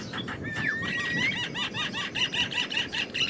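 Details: Wild Javan myna: a long rising whistle, then a rapid, even series of arched chirping notes, roughly five per second, with harsher squeaky overtones, over low rumbling background noise.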